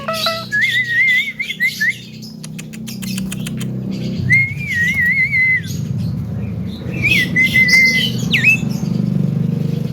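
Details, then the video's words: Captive Javan myna, a chatty young bird said to speak, gives three wavering whistled phrases separated by rough bursts, over a steady low hum and passing vehicle noise. "BURUNG JALAK KEBO CALON JUWARA || CERWET DAN BISA NGOMONG"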